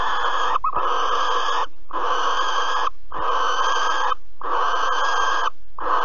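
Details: Barn owl at Alphen, 15 April 2020, during mouse prey delivery and mating: steady, regular raspy hisses of about one second each, repeated roughly every second.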